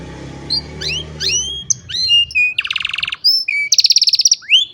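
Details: Song of an old canary on a sunny morning, cellphone recording: varied whistled upward slurs and short notes, then two rapid buzzy trills at high pitch, with a low hum early on.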